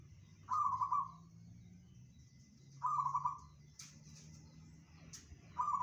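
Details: Zebra dove of the local type in bedah karang song, reputed to carry 500 meters: three bubbling trilled coos spaced about two and a half seconds apart, with two sharp clicks between them and low hum behind.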